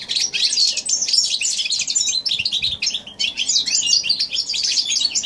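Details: Goldfinch x canary hybrid, January 2016, in fast, high, chattering song: a stream of liquid twitters and sharp chips, with a short break near the middle before the rapid warbling resumes.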